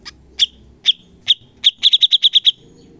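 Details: Bulbul (cucak cungkok) master recording for training songbirds: a few spaced, piercing whistled chips, then a fast run of about seven sharp identical notes.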